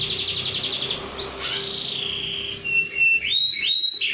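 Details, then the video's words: Canary song meant to stimulate canaries that have stopped singing and to tutor other birds: rapid high trill, swooping upslurred notes, a long buzzy sustained tone, then clear whistled and rising phrases, with a faint low hum behind. "KENARI GACOR ATAS BAWAH || cocok buat pancingan kenari macet bunyi & masteran burung"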